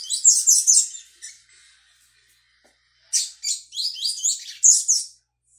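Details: Double-collared Seedeater, a brown young bird, learning the tui tui song on 22/05/22: two rapid phrases of high, squeaky, stuttering notes separated by about two seconds of quiet.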